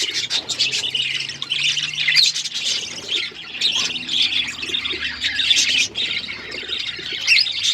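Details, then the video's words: Pet budgies produce a nonstop flock chatter of bright chirps and squeaky warbling, with a faint low hum beneath. "Budgies beautiful colours birds chirping sound"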